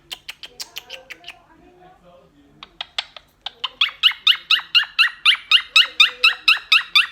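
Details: A blue Quaker (monk) parakeet chatters to its companions: a few scattered clicks and squeaks, then a rapid string of harsh, buzzy chirps, about two per second.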